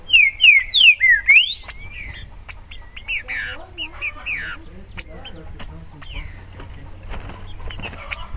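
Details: Green-winged saltator (Saltator similis) opening with loud, fluty downslurred whistles and a rising finish, then fading out as a busy chorus of other birds' chirps and trills carries on.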